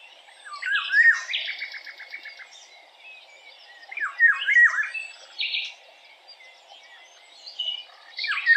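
A Eurasian golden oriole gives rich, fluted phrases that swoop down, repeated every three to four seconds, with thinner, higher chirps between them.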